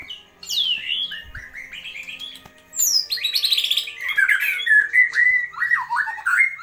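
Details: White-rumped shama tutor song: a rich, varied run of whistled phrases, swooping slurs and rapid chattering notes, growing louder midway into a dense stream of bright whistles, with a faint steady hum behind.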